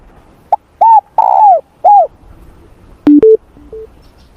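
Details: Spotted dove in morning voice training: one four-part cooing phrase with a long falling middle coo, then several short flat electronic beeps.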